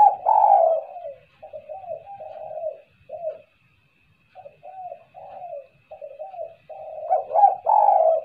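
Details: Lure recording of a spotted dove's kuk-kuk call. Mellow, low coos run in a loose series, pause briefly, and start again, ending in a stronger cluster of throaty notes. A faint thin whine persists.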